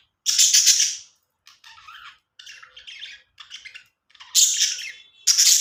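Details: Cute budgies giving happy chirping sounds: loud harsh squawks open and close the stretch, with softer chattering, scratchy warbles in between, repeated in short bursts indoors.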